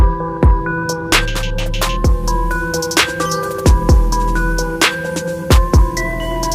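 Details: Electronic music with a heavy bass beat and sharp percussive hits plays throughout, and no animal sound is heard.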